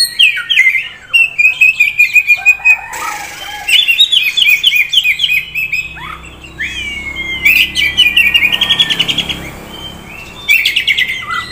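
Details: A prospect Oriental magpie-robin from a bird dealer in Kisaran delivers a varied song of quick warbled phrases, stuttering trills and a long level whistle that slides gently downward.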